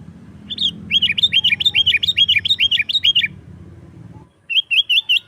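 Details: Sooty-headed bulbul in lively song, used to lure wild birds and to tutor kept birds: a fast run of about ten bright, bouncy chirping notes, a brief pause, then a second quick burst, over a faint low hum.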